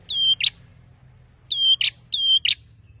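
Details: Persistent male prinia song meant to make rivals answer quickly, heard as three clear two-note phrases: a level high whistle, then an abrupt buzzy drop, with a faint low hum behind.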